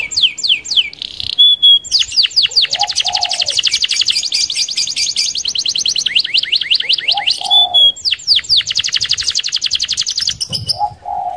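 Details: Canary giving a fast rolling song to lure other canaries: long rapid trills of sweeping notes with short whistled pauses, repeated in two bursts, a faint low hum between.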